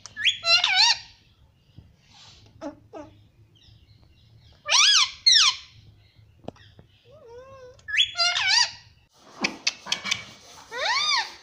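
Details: Talking parrot said to say mummy and papa in a clear voice: bursts of squeaky, voice-like syllables with wavering tones, several short phrases separated by pauses, in a quiet indoor setting.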